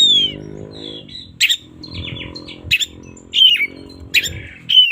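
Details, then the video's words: Oriental magpie-robin singing in the morning: sharp descending whistles and short scratchy bursts high in pitch, repeated irregularly, over a steady low humming drone in the background. "suara burung kacer gak ada ahlak"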